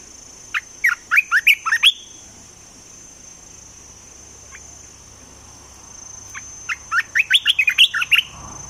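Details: Olive-winged bulbul kept caged as a lure for trapping birds delivers two rapid phrases of bubbly, upslurred notes, the second longer and rising higher, with a steady faint high hum behind.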